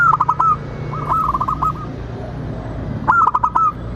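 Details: Local zebra dove cooing to prompt other doves to sing and reply: three bursts of rapid, soft, rounded coo notes, each phrase a quick stuttering run, with pauses and a low background hum between.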